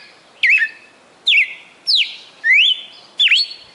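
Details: Red-cowled cardinal kept in a cage in Fortaleza, Ceará, Brazil, praised for a 'perfect song' of over 20 notes; five loud whistled notes, each differently shaped (rising, falling or looping), come about every 0.7 seconds.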